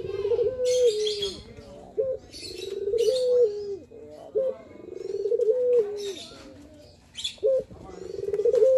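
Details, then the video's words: Male Barbary dove cooing in the manggung style, used to build up a dove's confidence: rolling, swelling coos repeated about every two and a half seconds, each with a short leading note, mixed with sharp high chirps from other birds. "Suara Puter Untuk Mendongkrak Mental , Suara Puter Manggung"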